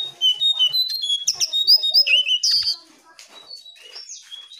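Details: Jongkangan song used as a lure for quiet caged birds: quick, bright, varied chirps and whistles, some rising and some falling, pour out for almost three seconds, then fade into soft, scattered twitters.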